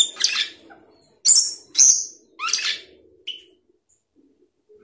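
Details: Asian glossy starling, a flocking bird of South and Southeast Asia, singing: a few sharp, metallic whistled and buzzy notes, some descending, spaced about half a second apart, over a faint low murmur.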